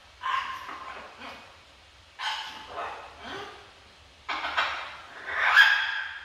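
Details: Pet macaw talking at home with its owner; four raspy, voice-like bursts spaced about two seconds apart, each breaking into shorter syllables, the last harsher and louder.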